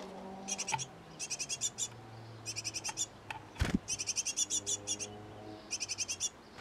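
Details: Great tit nest box with a pair feeding young: repeated clusters of rapid, thin, high chirps in regular bursts, one sharp knock midway and a faint low hum in the background.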